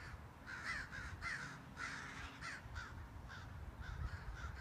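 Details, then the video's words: Crows harassing and driving off a hawk of three-foot wingspan near their colony; strings of harsh caws in clusters, loudest early, fading to spaced single calls over steady low rumble. "crows harass hawk"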